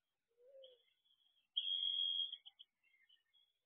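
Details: Owlets at an owl box at dawn in June: a faint low note, then a thin, drawn-out high hissing screech lasting under a second, followed by a few soft short scraps of sound.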